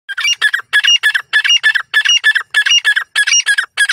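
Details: Grey francolin, called white titar partridge or Dakhni titar, calling in a forest in Pakistan; fast run of shrill, squeaky, ringing notes in closely spaced pairs, about fourteen bursts in under four seconds, with a quiet background.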